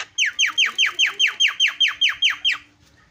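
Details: Javan myna lure to draw calls from other mynas: a steady series of about eleven loud descending whistled notes, evenly spaced at roughly four per second.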